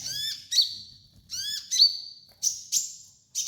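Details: Sunbird song played as a master for training: two drawn, descending whistled notes with sharp accents, then harsher clipped high chirps.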